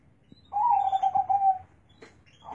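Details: One low rolling coo phrase from a deep-voiced zebra dove, about a second long, with faint clicks before and after.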